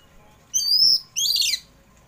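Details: Oriental magpie-robin (kacer poci) singing in the afternoon as a lure for pet birds: two high whistled phrases, a long thin steady note followed by a shimmering warbled trill.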